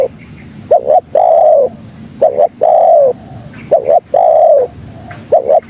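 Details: Spotted dove, or tekukur, calling to lure other doves: mellow low coos, each phrase a brisk doubled note then a sustained falling coo, three full phrases, a continuous thin high whine in the background.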